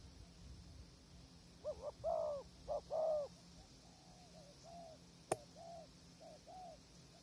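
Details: Spotted dove at a krajom tent trap in strong wind, wild doves far off; a few stuttered and longer coos, then weaker, more distant-sounding coos, with a single sharp click midway and low background rumble.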